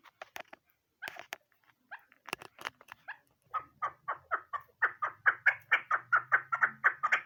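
A female chukar gives a few scattered clucks, then a steady, quickening run of harsh 'chuck' notes, about two or three a second. A low hum sits underneath.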